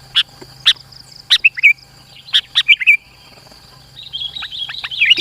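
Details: Lure song of a sooty-headed bulbul to bring rivals closer: sharp single chirps and short liquid phrases spaced about half a second apart, ending in a busier twittering jumble over a low hum.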